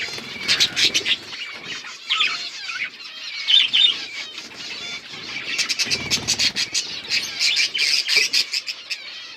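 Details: October 27, 2023 budgerigars: rapid chattering chirps and squeaks pulse in quick repeated bursts, with clicking sounds and a low rumble around the middle.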